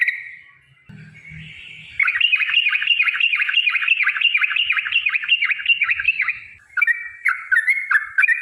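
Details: Yellow-vented bulbul giving a long, rapid song meant to provoke other bulbuls into singing: a dense run of bubbling, chattering notes at mid pitch for several seconds, then a short pause and a few separate warbled phrases.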